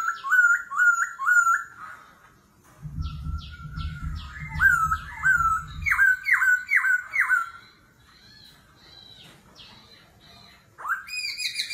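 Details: Competitive forest-voice song from a laughingthrush that keeps switching its voice: looping whistled phrases repeated more than twice a second, a low rumbling noise underneath for a few seconds, then sparse high chirps and a sudden loud burst.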